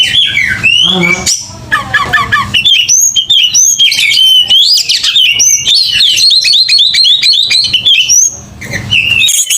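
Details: Aggressive, fighting song of a kacer, or Oriental magpie-robin: fast, varied whistled phrases and rapid trills packed closely together, with a brief low burst of noise near the end.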